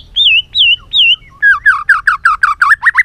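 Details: White-rumped shama singing many voices, played to train and provoke a bird into full song: three wavering whistles, then a quick series of rich, bending notes that speed up toward the end.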